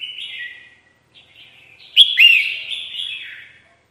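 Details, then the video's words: Red-whiskered bulbul, recorded as a lure for trapping: soft buzzy notes, then a sudden sharp chip and a bright, dipping whistled warble that fades out. "PIKAT SUARA BURUNG KUTILANG JAMBUL"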